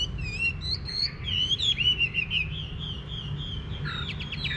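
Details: Hwamei in a rural Vietnamese garden giving a rambling whistled song of short slurred notes and sliding phrases, with a burst of rapid stacked notes near the end.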